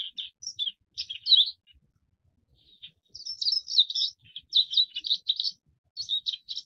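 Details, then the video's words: Forest wagtail, also called wood or tree wagtail, a bird that breeds in eastern Eurasia and winters in Taiwan and Southeast Asia; bright, high chirping notes in short clustered bursts, a pause of about a second, then a longer run of sharp tweets. "山鶺鴒/Forest Wagtail"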